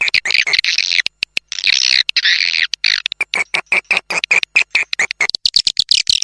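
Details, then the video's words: Swiftlet-attracting sound tested outdoors, intended to lead birds into a nest house: churring, buzzy high calls merging into fast stuttering chirps and clicks. "ÂM THANH DỤ CHIM YẾN VÀO NHÀ"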